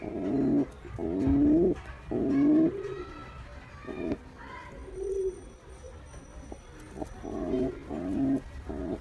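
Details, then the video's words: A male pigeon coos to a female, with three loud, throaty rising coos at the start, then quieter, broken cooing mixed with faint background sounds and a thin high tone. "Male Pigeon Cooing Sound To Female Pigeon"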